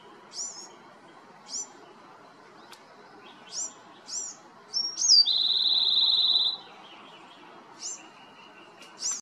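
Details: A Bewick's wren sings high, thin chips spaced a second or two apart, then a fast buzzy trill and a long steady whistle, over a low background hum.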